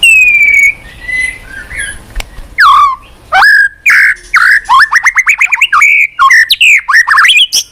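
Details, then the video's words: White-rumped shama in full song, played as a lure to get a reluctant caged bird singing: opening long high whistles, then loud rapid series of sharply falling slurred notes, rich and varied, delivered almost without pause. "Pancingan MURAI BATU MALAS BUNYI Sekali putar langsung NYAUT ,GACOR & BONGKAR ISIAN"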